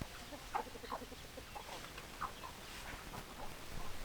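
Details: Chickens clucking in short bursts, a tight run of rapid notes early, then spaced single clucks, over a low hum and soft hiss.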